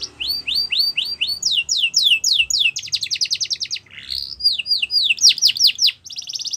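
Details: Yorkshire canary singing for song training: fast repeated downslurred whistles, switching between rolled trills and sweeping notes, bright and high-pitched throughout.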